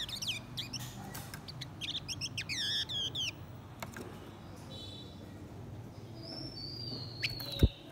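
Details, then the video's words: A male and female blue-winged minla give a decoy song to provoke wild birds: fast, wavering, twittering notes sweeping up and down for about three seconds, then quieter thin whistles and a sharp tap at the end. "Chim khướu lùn cánh xanh hót mồi kích bổi trống mái quá đỉnh."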